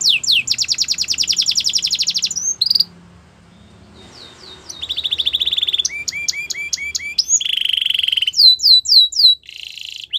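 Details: Canary singing a training song: a long fast buzzy trill, a short pause, then varied rolling trills, a low steady tour, and clear upward-sliding whistles repeated several times a second.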